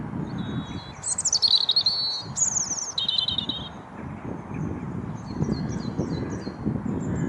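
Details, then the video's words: European robin singing in a tree at the Bailey Hill castle site in Mold, Flintshire, Wales, late February 2022; high sliding whistles, a descending warble and a short trill, then faint distant twittering over low rumble. "Robin bird singing in a tree"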